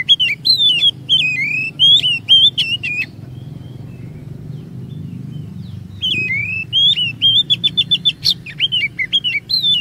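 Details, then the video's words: Lure song of an Oriental magpie-robin to prompt other magpie-robins to sing long phrases; whistled slurred phrases with clicks for three seconds, a quiet gap, then a rapid series of repeated short notes and whistles. "EFEKTIF MEMANCING KACER NGEROL DAN BONGKAR ISIAN"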